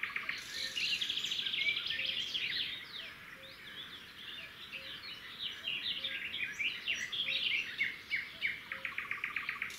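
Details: Red-backed shrikes at a roadside nest in the wild, the male bringing a grasshopper that the female feeds to the chicks; dense, overlapping high chirps and short twittering notes pour out continuously, with faint soft regular ticks below.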